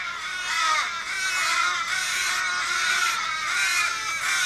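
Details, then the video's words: 15 or more Australian ravens circling an injured raven, possibly hit by a car, in a street in Kellyville, Sydney, 1 July 2012, give a continuous overlapping chorus of harsh, drawn-out wailing caws in apparent distress, lasting about 30 minutes. "Australian ravens mourning member's death"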